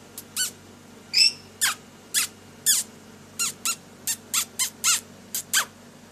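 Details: Pet lory indoors during daily play: a steady string of short, raspy, high squeaks, roughly two per second, with one wavering whistled note near the start.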